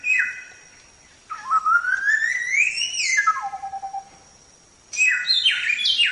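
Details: Samyong training song with a sharp opening phrase, then a long whistle sliding slowly upward, a quick fall into a steady low trill, and a final burst of bright, jumbled high notes over a faint constant tone.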